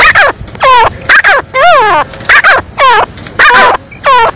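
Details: Excited calling of a female black francolin (kala teetar): harsh, nasal, ringing notes, some sliding up or down and others wavering, about eight bursts of under half a second each, loud and close.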